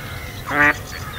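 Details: A single clear, nasal quack lasting about a quarter second from a female Mallard calling while roughly mated at Kirriemuir RSPB, the mating drake attacked by another male; faint low background noise.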